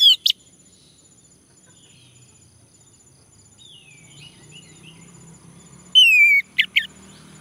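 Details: Male orange-headed thrush singing, used as a lure to get males to sing. Brief sharp notes open, then soft twittering and a low murmur, then a loud falling whistle with two clipped chirps near the end.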